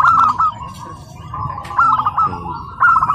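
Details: House-raised tame zebra dove from a local wild line at a practice competition at PLN Karawang, Indonesia: short trilled coo phrases, strong at the start and end, with background chatter.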